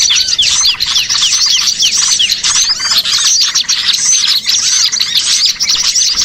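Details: Many small birds calling together, a sound used to lure birds into traps: rapid high chips and curved whistled notes stacked densely, with brief dips in the clamour every second or so.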